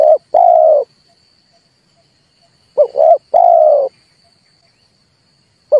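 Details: Cooing of a red turtle dove meant as a trapping lure, a burred low phrase of two brief notes and a long coo, separated by long pauses, over a faint continuous high tone.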